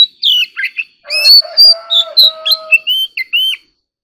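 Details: Oriental magpie-robin in competitive singing: a few whistled slurs, then a burst of harsh, layered notes under the song, followed by further clear rising and falling whistles.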